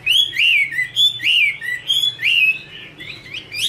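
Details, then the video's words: Female Chinese hwamei song with male in background: loud clear whistled phrases, looping slurred notes rising and falling, bursts separated by brief pauses, bright harmonics above; faint low hum. "Chim hoạ mi: Mái te đỉnh cao của năm _ có chim trống làm nền"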